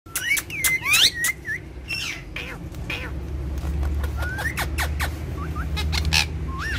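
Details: . Two ringneck parrots, described as friends that dance and talk, give rising whistled notes and sharp clicky chirps in quick bursts. A steady low hum runs underneath.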